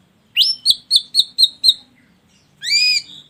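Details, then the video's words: Ashy drongo lure song for provoking other birds to sing: a rapid run of six bright whistled notes, about four per second, then a short pause and one buzzy, harmonic-rich rising note. "Pancingan Burung Srigunting Abu Abu Biar Bunyi"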